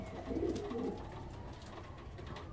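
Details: Racing pigeons of a flight squad ahead of their first 941 km marathon race from Nordhausen give low, soft cooing notes in a brief burst, then fade into quiet background noise.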